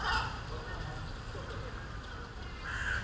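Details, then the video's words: Gulls feeding on chicken meat in Üsküdar, Istanbul, give two short, harsh calls, one at the start and one at the end, over a steady low rumble of wind and city noise. "martı martı sesi"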